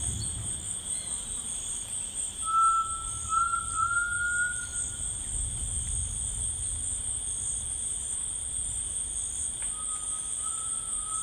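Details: A grey tinamou sings in rainforest, a loud wavering whistle sliding upward, then a quieter rising whistle near the end, with unbroken insect buzzing above.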